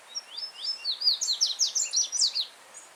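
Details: A yellow-bellied seedeater singing free in nature beside a stream, giving one brisk, high phrase of about a dozen sharp, slurred notes in rapid succession, each sweeping down across a narrow band, building in loudness toward the middle.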